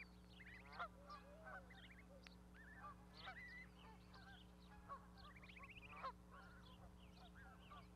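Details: Parent goose and goslings on an osprey nest platform, Charlo, Montana, 12 May 2020. Irregular honks with a few longer, ragged, rising calls stand over a persistent low hum.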